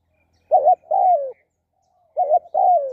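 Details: Spotted dove kept for decoy trapping, cooing twice: each round is a quick doubled note straight into a mellow, sustained coo that slides lower, with a gap of nearly a second between rounds.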